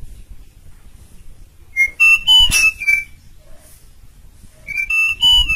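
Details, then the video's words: An Asian pied starling, a powerful, persistent singer used as a tutor recording for other birds, gives loud, clear whistles with sliding pitch in two bursts. These are mixed with harsher chattering notes over faint background hiss. "Suara Powerfull, Jalak Suren / Jalak Uren Gacor Ngotot Cocok Untuk Masteran"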